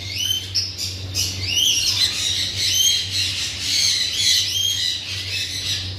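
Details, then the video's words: Parrot calling with dense, continuous screeching squawks, grating upward-sweeping shrieks tumbling over one another, over a constant low electrical-sounding hum. "raw parrot"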